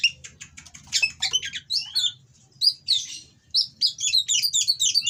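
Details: Caged Oriental magpie-robin in breeding condition, its coarse song meant to anger rival birds; rapid, varied chirps and twisting whistles run in quick bursts with short breaks, over a low background hum.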